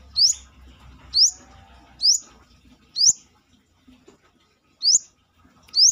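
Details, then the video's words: Brown-throated sunbird outside its cage repeating a piercing, sharply rising note about once a second, with a short pause midway and faint low noise behind. "KORLAP (Kolibri kelapa)Manggar gacor luar sangkar"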